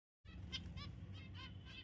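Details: A pet zebra finch (Taeniopygia guttata) at play gives short, nasal, toy-trumpet beeps in quick succession over a low background hum.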